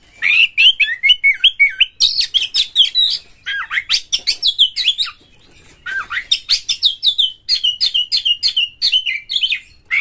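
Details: Nearly continuous, loud Oriental magpie-robin song, used to encourage other magpie-robins to sing in full, with rapid rhythmic whistled notes and harsh chattering in long bursts, broken by one short pause.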